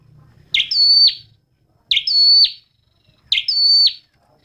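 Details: A red-headed flowerpecker sings three high thin notes, each a sharp buzzy onset then a sustained whistle, repeated about every one and a half seconds.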